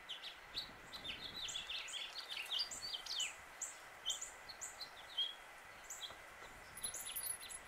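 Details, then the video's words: Male house finch singing in Suffolk, Virginia, USA: a fast, jumbled warble of high, slurred notes, many dropping in pitch, running for several seconds, with a few softer chirps afterward and light background hum. "House Finch Song and Call"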